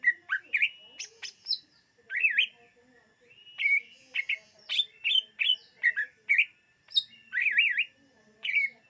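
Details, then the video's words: Greater green leafbird (cucak ijo) song from 2022, meant for luring birds: varied clipped whistles and zigzag warbled notes delivered in lively, irregular sequence. "SUARA BURUNG CUCAK IJO UNTUK PEMIKAT DIJAMIN TERPIKAT"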